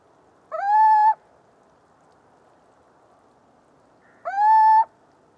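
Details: Little owl song, recorded in Portugal: two clear, plaintive hoots that rise quickly and then hold level, each about half a second long, spaced nearly four seconds apart over a soft, steady background hiss.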